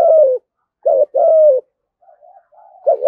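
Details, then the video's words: Deep-voiced spotted dove cooing in the 'thúc gù' style: a long, mellow falling coo, then a short note and another drawn-out coo. Faint soft coos follow before the next phrase starts. "cu gáy thúc gù giọng thổ ĐẸP mã hót hay"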